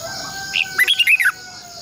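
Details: Red-whiskered bulbul decoy song for training caged birds: one short whistle, then a fast run of five or six rising and falling warbled notes, with a continuous high buzzing drone in the background.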